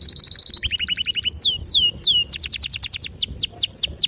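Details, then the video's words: Canary performing long rolling song, used to prompt young canaries to learn. A clear held whistle leads into a quick trill, several loud swooping slurs, then a fast run of sharp descending notes. "PANCINGAN KENARI GACOR PANJANG || PANCINGAN KENARI PAUD BELAJAR BUNYI || MASTERAN KENARI PAUD"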